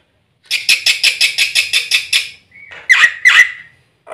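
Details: Black-winged myna giving a string of about nine harsh, rasping squawks in quick succession, followed after a pause by two louder, scratchy screeches.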